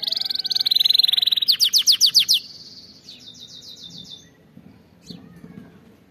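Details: Canary song used for training: a rapid high buzzy roll, a run of spaced sharp downslurred notes, then a quieter fading trill followed by near silence.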